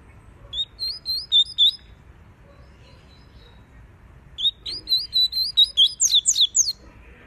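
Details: Double-collared seedeater singing hard to train a young bird and warm up a female: two bursts of high whistled, slurred notes, the second longer and faster, ending in rapid sharp chips, with a pause between.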